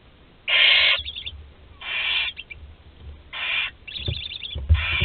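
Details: Barn owl, the last chick remaining in a nest box at Théding, France, on 26 July 2020: harsh hissing screeches roughly every one and a half seconds, each followed by quieter rasping chatter, over low background rumble.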